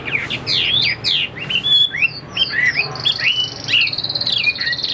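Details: Chinese hwamei pouring out fast, varied whistles, many swooping upward or downward, with a steady high trill running beneath the later phrases.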